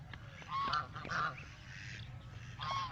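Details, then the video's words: Ducks give harsh, nasal honking calls in a few short bursts, with a steady low rumble of background noise underneath. "Ducks, Sounds"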